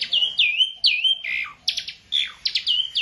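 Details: Beginner Asian pied starling repeating loud swooping whistles that drop and flatten, alternating with harsh rasping chatter, about two phrases per second.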